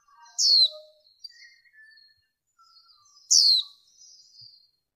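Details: Female warbling white-eye making two loud, high, downward-sweeping notes about three seconds apart. Softer thin twitters and faint lower chirps fill the gaps in a cleaned, quiet recording.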